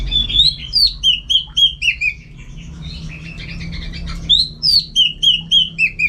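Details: Orange-headed thrush, a caged contest bird from North Bali, sings loud, repeated whistled phrases. Each slurred note comes roughly every third of a second, in two bursts separated by softer twittering, over a low hum.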